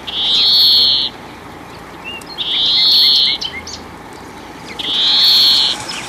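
European greenfinch giving three long, wheezy, buzzing notes, each about a second long and spaced roughly two seconds apart, over a quiet background with faint chirps.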